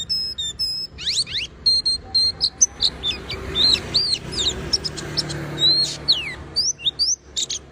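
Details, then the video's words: Oriental white-eye in unbroken song to get other white-eyes singing: opening clear whistled notes, then a long lively run of high twitters, slurred sweeps and chirps. "pleci berbunyi tiada henti DIJAMIN burung pleci lainya pasti ikutan berbunyi GACOR"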